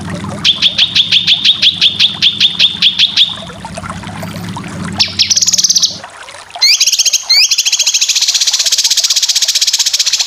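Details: Cucak kinoy song for training competition birds: a run of evenly repeated sharp whistled notes, then a dense buzzy trill, abrupt cuts, and a long rapid rattling trill; a low hum underlies the first half.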